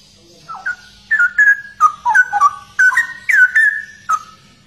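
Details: Straw-headed bulbul (cucak rowo), a rare bird noted for its unique song, pouring out a rich, rollicking series of slurred whistled notes, rising and falling in quick succession before ending on a single downslurred note.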